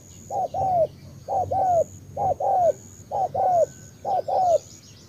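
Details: Cooing spotted dove of the Cà Mau type gives evenly spaced two-part phrases, a short hoot then a longer downward-curving coo, five times in five seconds. Thin high whistles carry faintly behind.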